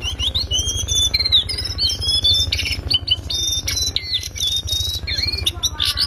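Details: Loud, high whistled phrases from a lesser shortwing (cingcoang coklat), a master recording for tutoring songbirds: long thin level whistles broken by quick twittering notes and chirps, with constant low pulsing underneath.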